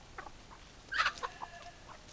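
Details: Chickens calling: a few soft clucks, then a louder, harsh squawk near the middle followed by scattered short clucks fading away.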